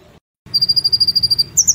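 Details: Singing caged brown-throated sunbird, from a master recording for training cage birds, in the 'nembak platuk cililin sejalur' style: a fast, even run of high piercing notes ending in two higher chips, over a low background rumble.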